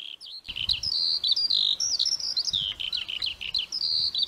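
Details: Lark song starting abruptly into a busy, high twitter of slurred chirps and whistles, about three notes per second, with faint low rumble beneath.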